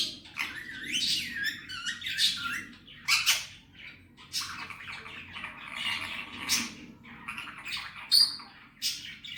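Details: Pet male Indian ringneck parrot talking, copying Hindi and Urdu words: raspy, buzzy syllables with wavering formant-like bands, short sharp clicks and squeaks, grouped in uneven bursts over about nine seconds indoors.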